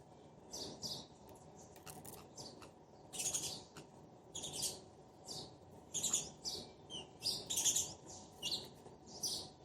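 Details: A pair of sparrows trade short, high chirps back and forth in bursts about every second or so, irregular and overlapping, over a steady low background hum.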